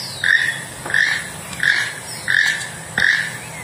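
A toucan gives harsh, frog-like croaks with a raspy overtone, repeated steadily about every two-thirds of a second over a faint background hiss.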